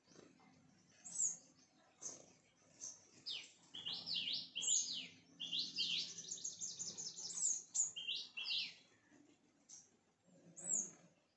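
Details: Sunbirds at a home, giving high, thin chirps and rapid twittering phrases of sharp descending notes, bunched in busy bursts between about 3 and 9 seconds, with short clear chirps repeated before and after.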